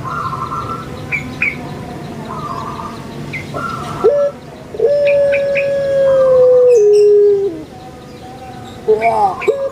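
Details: Kept puter pelung Barbary dove from Java, Indonesia, giving a long, steady, pure cooing note that steps down near its end, with chirps from other small birds before and after.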